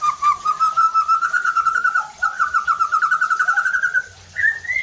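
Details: White-rumped shama lure song for stirring other shamas to sing hard and unload their repertoire: a long, fast, steady trill slowly rising in pitch for about four seconds, ending in an upward whistle.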